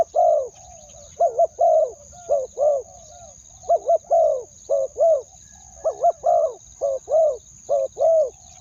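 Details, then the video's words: Spotted dove calling to lure wild doves, a run of low, hollow two-part coos in quick irregular bursts, about fourteen notes, with a steady high electronic whine in the background. "เสียงนกเขาใหญ่ ต่อ ขันเรียก คูอ่าง 2คำ"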